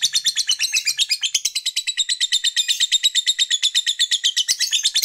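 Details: Lovebird fighter chattering in long ngekek to rouse rivals: a steady, dense rattle of high shrill pulses near three per second, lasting five seconds, ending with a brief click.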